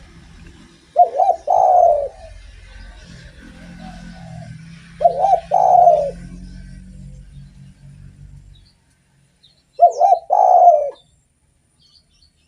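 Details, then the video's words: Spotted dove singing actively to lure other doves: three separate coo phrases about four to five seconds apart, each a short stuttered note and a longer soft coo, with a low droning hum between the first two. "SUARA BURUNG DERKUKU GACOR ENAK DIDENGAR || BAGUS BUAT PANCINGAN"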